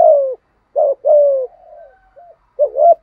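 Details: Spotted dove giving a 'thúc gù' cooing pattern meant to make other doves coo back: low, mellow coos, some falling in pitch, others short rising doublets, with pauses between; clean, quiet background.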